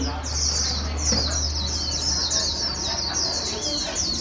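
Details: White-eye, a wild-caught bird in training to sing fast, gives a dense, high-pitched chattering warble of quick slurred notes without pause, with a low hum beneath and faint background noise.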